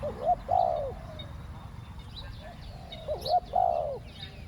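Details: Spotted dove used to lure wild doves, cooing in the two-word 'khu ang' style: two clear, low, hooted coo phrases, each a short note then a longer wavering one, about three seconds apart, with faint chirps of other birds behind.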